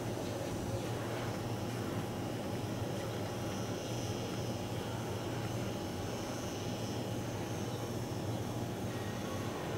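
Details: Steady droning engine noise, like a passing aircraft, with a low hum and broad hiss throughout and no animal voice.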